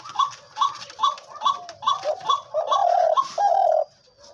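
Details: Captive spotted dove kept as a hunting decoy, said to keep calling even when its beak is pressed. A quick series of short, even coo notes about twice a second, then two longer, lower drawn-out coos, indoors.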